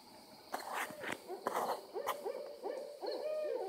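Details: Several owls calling excitedly, more appearing nearby: after a few sharp knocks and rustles, clear hooting notes with downward hooks follow one another rapidly and overlap, forming a busy, chattering chorus.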